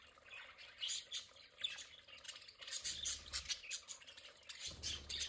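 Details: Pet budgerigars in a play area chattering with rapid, high, clicky chirps and brief squawks, quieter at first, then denser, with low humming patches.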